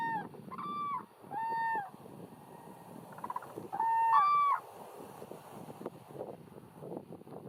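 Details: Cranes lifting off in the morning with several trumpeting, slightly wavering calls in the first five seconds, then fading into rustling, broadband background noise with faint clicks.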